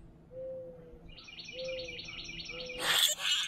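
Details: Three boat-tailed grackles chatter to one another while feeding at a backyard feeder: three low, smooth down-slurred whistles about a second apart, a rapid buzzy chattering series above them, then a harsh rattling burst.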